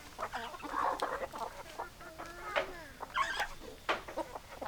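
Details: Hens clucking in a lively flock, dense overlapping short clucks and squawks with a few rising and falling notes, steady chatter throughout.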